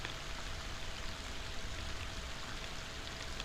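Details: Steady rain and running water fill the recording with broad hiss and no animal voices.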